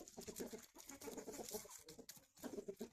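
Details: Several chickens eating in the morning give short, soft, repeated clucks in quick bursts, with a constant high hiss and scratching in the background.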